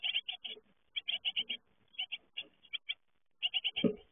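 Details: Great tit young leaving the nest call in quick series of high, sharp chirps, grouped in runs of three to five with brief gaps. A muffled bump is heard near the end.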